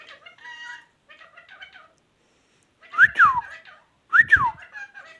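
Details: Talking ringneck parrot produces nasal, harmonic voice-like syllables, then two loud rising-and-falling whistled notes about a second apart, each with rough underlying tones.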